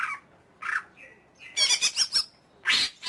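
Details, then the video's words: Greater green leafbird mixing harsh squawks and short whistles with a rapid pulsed chatter and a final rasping note. "Suara Burung Cucak Ijo"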